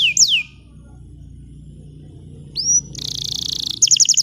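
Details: A bottle-green canary singing, meant as a tutor song for young canaries. A couple of falling whistles are followed by a long quiet gap, then a rising whistle, a dense buzzing trill, and a quick run of high notes.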